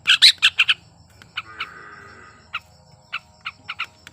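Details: Sooty-headed bulbul in breeding condition, singing to provoke other bulbuls to sing: a loud burst of quick chirps, then spaced single short notes over a soft low background hum.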